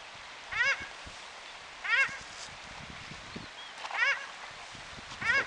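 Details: Paradise shelducks at New Plymouth, New Zealand, yelling one morning: four strident honks spaced about 1.3 seconds apart, each a short rising-falling cry rich in overtones, with faint background noise between.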